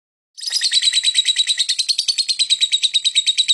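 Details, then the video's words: Lovebird chirping, used to lure other birds: a fast, steady run of bright, harsh chirps, roughly three per second, with no gap after a short silent start. "lovebird singing & chirping sound to lure other birds chirping"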